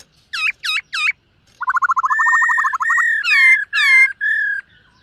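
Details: Black-throated laughingthrush singing during morning voice training: three looping whistled notes, then a fast rapid-fire trill that smooths into long steady whistles and a few strong arched whistled notes.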